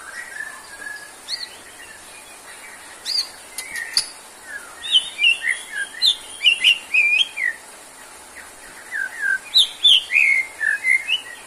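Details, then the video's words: White-rumped shama, kept caged, offered as therapy for a bird that has lost stamina: rich varied whistled phrases, bursts of rapid jumbled notes rising and falling, with short pauses between phrases. "MURAI GACOR!!~TERAPI UNTUK MURAI BATU YANG KURANG STAMINA ATAU NGEDROP"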